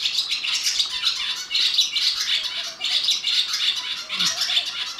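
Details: Barn swallow at a resort near Kolara gate, Tadoba, Chandrapur: dense twittering chatter of high, scratchy notes running almost continuously, rising and falling in loudness.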